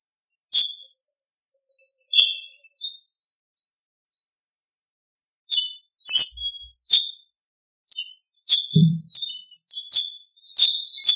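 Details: After overnight rain, birds greet the morning with bright, high whistled phrases and chirps, sparse at first and then a rapid run of notes; one brief low knock partway through.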